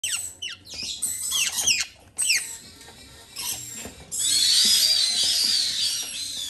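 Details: Parrot chicks (red-capped/Jardine's parrot being hand-fed, white-bellied and black-headed caiques waiting their turn) squeal in quick, high, rising-and-falling squeaks, then a harsh continuous rasping wheeze, with faint indoor room noise.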